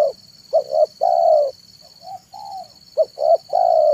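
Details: Spotted dove cooing in the afternoon, used as a lure for wild and trained doves; low soft coos in a repeated pattern of two short notes then a long drawn coo, over a steady high electronic whine.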